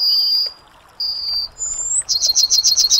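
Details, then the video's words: Yellowhammer song fragment: two long, thin, level high whistles, a brief rising whistle, then a quick run of about seven clipped high notes. "Yellowhammer Singing"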